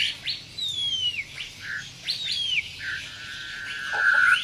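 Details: White-rumped shama singing a combination of sharp 'tembakan' phrases with tight rolls: loud, clear whistles gliding downward, interspersed with short bright notes and a sustained buzzy note near the end.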